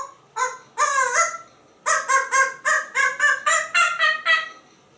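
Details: Talkative pet African grey parrot kept indoors in Texas, imitating a monkey: a rapid run of loud harmonic hooting whoops, about eight in quick succession after two opening notes, rising slightly through the series.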